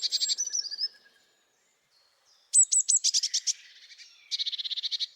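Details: A Blue Tit in the Nordic region sings high, thin notes, then a rapid, even trill, in short, sharp, punchy phrases with pauses between them; the song is said to be adapted to city noise.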